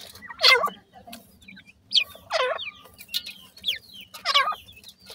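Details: Two newborn black francolin chicks, locally called Sindhi partridge or kala teetar, calling: three loud, harmonic chirps that sweep down then up, about two seconds apart, with shorter high upslurred peeps between them over a low steady hum.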